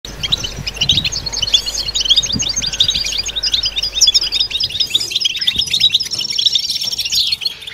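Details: European goldfinches singing together in a collective batbata twitter, a mating chorus meant to stimulate males and females and to cure silent birds; dense, overlapping high tinkling trills and chirps run continuously, with buzzier twittering near the end and faint low thumps.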